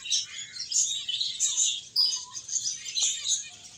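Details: Finches playing and eating give a dense, continuous chorus of high, thin chirps and tweets that overlap from many birds, with brief louder bursts every half second or so.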